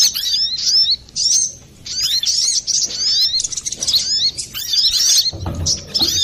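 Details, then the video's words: Brown-throated sunbird in full noisy song, used as a bird lure: bursts of shrill, rapidly repeated high chirps separated by short pauses, ending with a dull low thump among the twittering. "Pancingan burung Kolibri Klapa ribut,suara jerni"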